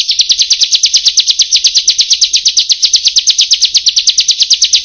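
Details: Bar-winged prinia (ciblek/prenjak) song used as a training recording to coax lazy birds into singing: a fast, steady chatter of sharp, high notes, roughly eight per second, with no pause for five seconds.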